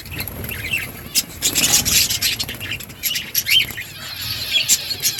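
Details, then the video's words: Colony of breeding budgerigars giving a continuous mix of high twittering chirps and short warbled notes, with bursts of louder chatter around the middle and scattered sharp calls. "Budgies parrot chirping sounds parakeet sounds"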